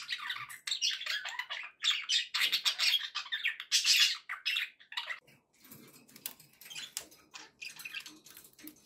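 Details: Budgie chatter from pet birds, loud dense chirping and squawking for the first five seconds, then softer, scattered twitters and clicks.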